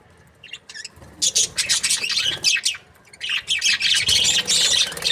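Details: Several budgerigars, Australian parrots kept in breeding pairs, chatter in overlapping scratchy chirps and squawks. The chatter builds from quiet scattered notes into a steady, busy stream of high calls.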